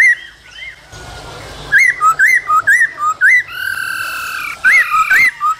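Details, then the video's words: Male laughingthrush singing and dancing, female calls alongside, in the cold season: a burst of noise, then alternating high and low looping whistles, a sustained tone, and more whistles. "Khướu trống hót múa kèm tiếng mái ro kích bổi mùa lạnh"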